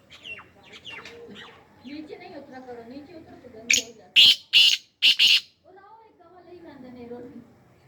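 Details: Black francolin breaking into its harsh series of about five strident, grating notes, the last two tightly paired, with people talking before and after the call.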